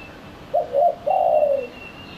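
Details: Spotted dove lure sound for attracting doves: two quick soft coos, then a long, mellow coo sliding downward, with a faint high steady tone behind.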